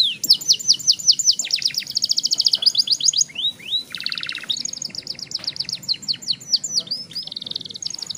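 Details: Young canary singing a long rolling song used to get other young canaries singing: high, rapid trills and buzzy rolls with quick rising and falling sweeps. The trills run nearly without a break and shift in speed.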